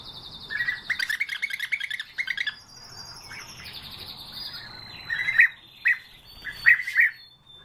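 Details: European bee-eater: rolling, trilled calls over high thin whistles, then several spaced, sharper call notes.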